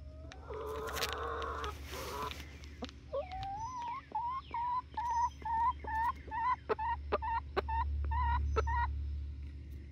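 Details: Young chickens, Barred Rocks and Gold Stars at 19 weeks, in Grimes County near Iola, Texas. After a harsh noisy burst, about a dozen short rising whistled notes repeat roughly twice a second over a steady low hum.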